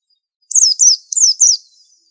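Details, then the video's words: Rapid run of four shrill, downslurred chirps from a white-eye described in Indonesian as 'super antik', a master bird with a unique song, delivered in two closely linked pairs within about a second. "Pleci super antik masterannya harus unik"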